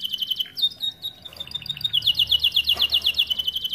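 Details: Canary of the starblue colour variety singing a lively tutor song meant to train young canaries: rapid high chirped notes repeated about four per second, shifting into a denser buzzing trill.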